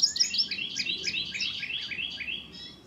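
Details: Indigo bunting not yet fully molted, recently arrived for the season, singing a quick series of high, paired downslurred notes that drift gradually lower over nearly three seconds.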